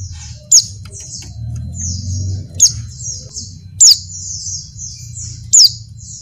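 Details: Female Oriental white-eye in breeding condition calling to males: thin, very high chirping notes in quick runs, broken by four sharp, loud, downslurred calls about every one to two seconds; faint low hum beneath.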